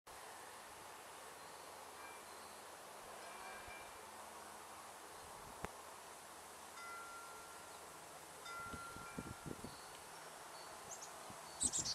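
Soft wind-chime tones ring over a steady outdoor hiss, with a few rustles and knocks near the end and no clear animal calls.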